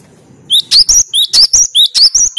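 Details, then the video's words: Gelatik batu, the cinereous tit, in its rival-challenging 'tembakan' song: eight or so loud, sharply rising whistles, evenly spaced, repeated rapidly over under two seconds. "Tembakan burung Gelatik Batu paling joss melatih mental lawan"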